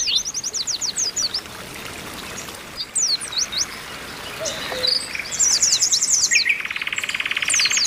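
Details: Oriental white-eye female calling to stimulate males; bursts of quick high slurred chirps with pauses, then a buzzy trill over a lower sustained rattle at the end.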